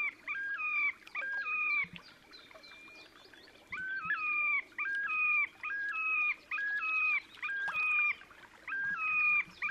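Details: Terek sandpiper displaying on 30 April 2019, Oka Nature Reserve, Russia: loud two-tone phrases, a high note dropping to a lower one, repeated roughly once a second in a rhythmic series, with faint other birds behind.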